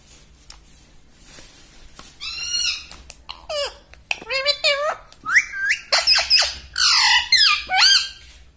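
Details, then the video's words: Talking pet parrot indoors copying human words such as "mummy": after faint clicks, about a dozen voiced, speech-like syllables, rising and falling in pitch, come in a fast, uneven chatter. "Mummy Bolne Wala Tota - Talking Parrot"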